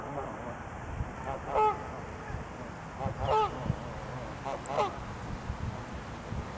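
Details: Canada geese arguing and charging at each other: loud, nasal honks, some doubled, come in separate bursts about every one to one and a half seconds, over a low background rumble.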